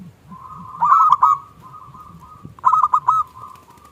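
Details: A local zebra dove giving its small 'klung' lure song, aimed at provoking other doves to sing. Two brief, rapid clusters of coo notes rise above a soft, continuous tone and a low background hum.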